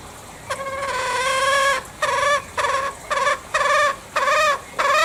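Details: Green junglefowl from Bali giving a long, steady harmonic call, then a run of shorter nasal, arched calls, each about half a second, repeated with brief gaps.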